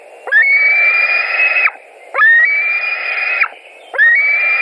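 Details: A White-tailed eagle nest in Latvia, morning of 16 July 2020, an adult arriving with fish. Three long, reedy whistled calls, each with a quick upward swoop into a sustained tone, repeated roughly every two seconds.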